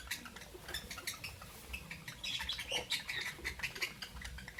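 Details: Albino and Euwing green opaline lovebirds in the morning: a busy run of sharp, scratchy chirps and squawks repeating rapidly, growing denser and louder midway, over a low background rumble.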